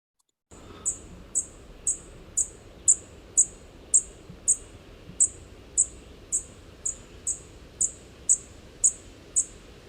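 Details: Dark-eyed Junco fledgling giving high, thin "tick" notes repeated about twice a second in a steady series, over faint background hiss.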